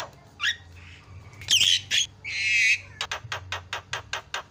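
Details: Javan myna tutor recording, billed as a loud champion singer. A brief squeak comes first, then a rough grating squawk and a long harsh buzzy rasp, followed by eight or nine evenly spaced sharp clicks.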